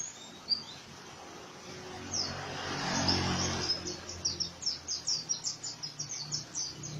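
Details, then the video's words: Oriental white-eye in rough ngriwik song. A single sharp chirp and a wash of noise come first, then a rapid, evenly spaced series of high, downslurred chirps carries through the final three seconds. "BURUNG PLECI NGRIWIK KASAR"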